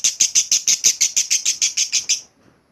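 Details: Short burst of lovebird ngekek, the chattering song played to coax other lovebirds into long ngekek: about fourteen quick, shrill, evenly spaced chips, then silence.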